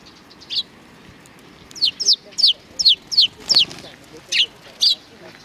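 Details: Several sparrows at a Tenmangu shrine in Japan on 31 May 2019 give short, bright, downward-slurred chirps, about nine in irregular succession, some in quick pairs, over a faint low background hum.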